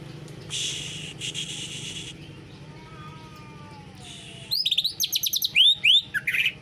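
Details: Canary-style song from a greater green leafbird: rasping noise and a soft descending whistle at first, then a loud closing flurry of fast high trills and upward-swept whistled notes.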